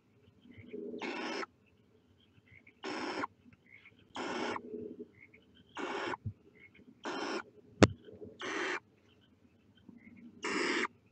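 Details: Seven rasping hisses from barn owl chicks at their nest as they stick their heads out, coming at uneven intervals of one to two seconds, with one sharp click partway through.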